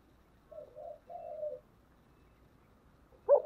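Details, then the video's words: Spotted dove cooing in the thổ voice style, in thúc and gáy gọi phrases. A soft three-part coo, the last note drawn out and falling, then a short pause before one loud abrupt note. "Cu gáy giọng thổ/ chuẩn thúc và gáy gọi"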